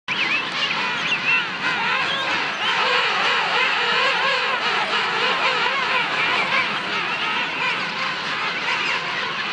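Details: A large colony of king penguins on South Georgia island fills the air with a constant din of overlapping trumpeting, warbling calls, many birds braying at once with no pause.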